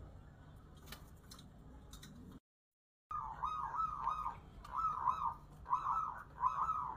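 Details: Zebra dove singing at a local singing contest: a rapid series of bright, rolling trilled coos repeated in quick bursts, with background hum and a brief silent gap early on.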